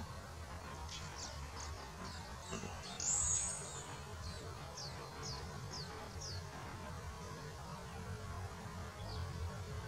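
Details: Yellow warbler singing at Cranberry Lake on 16 May 2019: a faint run of high, thin, downslurred notes delivered about twice a second, over steady low rumbling background noise.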